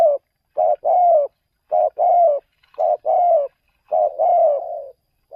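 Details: Decoy spotted dove out luring wild doves away from home: steady repeated paired coos, a short hoot then a drawn-out slightly falling coo, five phrases in quick succession.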